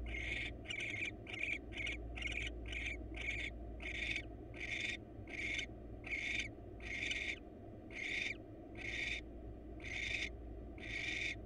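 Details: ['Wild barn owl at a monitored nest box, the male bringing the female a mouse for dinner; a burst of rapid, closely packed hisses settles into a steady train of longer rasping hisses about every 0.8 seconds.']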